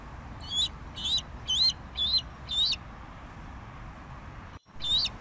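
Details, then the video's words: Bald eagle calling: a steady run of five thin, high whistled notes about half a second apart, a short break, then one more similar note. "Canto del Águila Calva"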